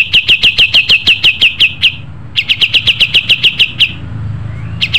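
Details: Two short bursts of bright repeated chips from a pied triller, each lasting about two seconds, separated by a brief gap, with a low background rumble.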